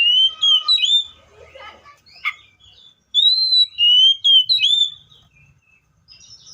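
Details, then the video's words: Seychelles magpie-robin singing: bursts of sweet whistled phrases with slurred, looping notes, then a pause of about a second and a further string of four clear whistles that rise and fall. "COPSYCHUS SECHELLARUM BIRDS SOUNDS LIKE IN NATURE LOUD CLEAR SOUNDS"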